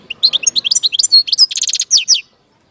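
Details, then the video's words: European goldfinch singing in Algeria: a fast, clean run of bright, twittering and tinkling notes, with several rapid buzzy trills near the middle, lasting about two seconds before ending abruptly in silence. "اجمل صوت حسون في الجزائر"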